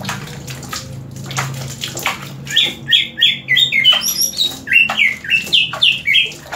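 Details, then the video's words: Green leafbird, a caged bird singing more strongly after being sprayed with water, gives a series of loud sweet whistled notes, each sliding down, about three per second, after splashing water sounds at the start. "CUCAK IJO INI DISIRAM AIR MALAH MAKIN MENJADI"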